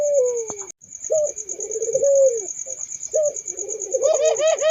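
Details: Puter dove giving low, rolling coos that rise and fade, with a brief click near the start and higher chirping notes at the end, over a shrill steady drone.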